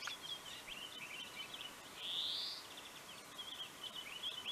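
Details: Pine grosbeak at Neljän Tuulen Tupa, Finland, in March 2023, giving a run of short high whistled notes with one longer, louder fluting whistle midway, then more quick chirps over a light, steady hiss.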